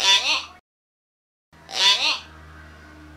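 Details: A pet hill myna, kept since January 2020, that pecks at other mynas gives two short, bright, voice-like phrases, each about half a second long, separated by a pause, over a faint steady hum.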